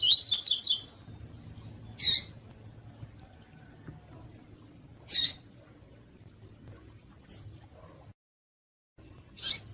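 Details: Female double-collared seedeater calling, a call used to excite males: a quick cluster of high squeaky chirps, then single sharp high notes spaced about two seconds apart, with a low steady hum beneath.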